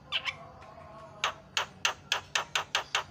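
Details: Javan myna used as a lure to set other birds calling: after a faint opening, a string of harsh, rasping notes repeats roughly every quarter second, with a low steady hum underneath.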